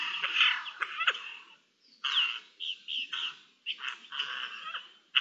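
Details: Eurasian jays recorded in Spain on 10 May 2021, calling back and forth to each other: harsh, rasping screeches in bursts of under a second, separated by brief silent gaps.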